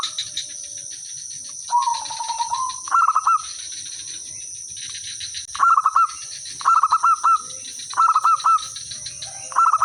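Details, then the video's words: Zebra dove, village bird singing as a lure to make others respond; a soft rolling coo followed by four loud bursts of quick stuttering notes spaced about a second apart, high insect drone throughout. "suara merbok kampung/perkutut lokal gacor manggung jadi pikat pancingan semua jadi nyaut"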